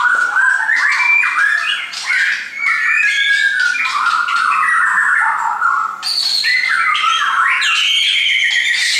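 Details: Captive shamas brought by their owner pour out a continuous melodious song of loud slurred whistles. Fluting phrases are mixed with buzzy squeaks and abrupt high notes, and a sharp rising phrase begins midway.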